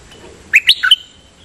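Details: A bird kept for decoy calling gives a quick burst of four sharp, high chirped notes, rising then dropping, over a quiet background.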